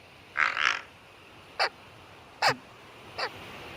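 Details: American white pelicans at San Jacinto Wildlife Area, California, give low, harsh heron-like grunts: a rough double burst, then three short barking grunts about a second apart, frog-like turning dog-like.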